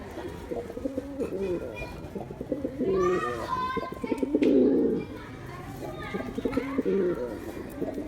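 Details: Male pigeons cooing: low, rolling coos pulse in overlapping bursts, with a louder, throatier stretch midway and some faint voices or background chatter mixed in.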